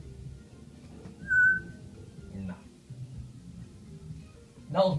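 An African grey parrot gives a single short, clear, steady whistle, followed near the end by a brief harsher note. Quiet human speech and room noise run underneath.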